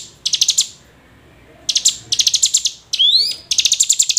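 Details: Calls of a hill prinia meant to provoke idle hill prinias into song: brisk groups of sharp high chips separated by a pause, one rising slurred whistle, then another fast chip burst.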